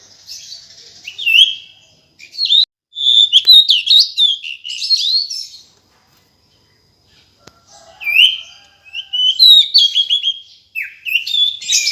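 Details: Calling female decu bird: two bouts of varied high chirps, twitters and short whistles, separated by a pause of about two seconds. A faint low click sounds in the gap.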